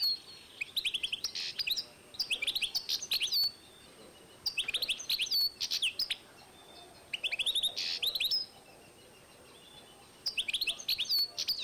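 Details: A European goldfinch × canary hybrid, recorded in 2012, sings in bursts of bright, twittering trills and tinkling notes, high-pitched and rapid, with short pauses between phrases.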